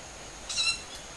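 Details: Ural owl (Strix uralensis), likely juvenile, at a Japanese home garden around 19:40 on 20 July in early summer, about five birds moving tens of metres up, gives one short, hoarse, high rasping screech; quiet night background.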